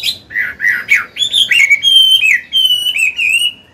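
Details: Old wild-caught Chinese hwamei, a caged bird, singing in a forest-style voice for training other birds. Its song runs as a fast, varied string of clear, slurred whistles that rise and fall. Most phrases are high and sweet, with a few sharper notes between them.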